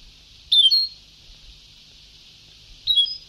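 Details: European goldfinch, old Sebtaoui singing tape: one clear, high, tinkling phrase, then after about two seconds of hiss a second, softer chirpy phrase.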